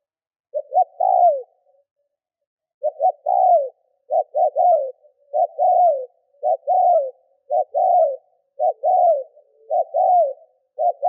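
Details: Spotted dove used as a lure bird, cooing to provoke wild doves: low, soft three-part coos, each rising then falling, repeated in quick runs of phrases with short pauses between them.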